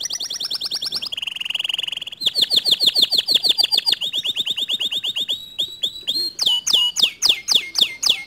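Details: Canary singing to stir a silent canary into song: a loud, varied performance of high trills, then a long series of rapidly repeated down-slurred whistles, and finally slower looping notes, with hardly any background noise.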